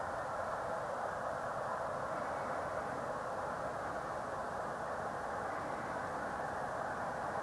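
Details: Steady broadband rumble like a passing vehicle or train, with no animal voices.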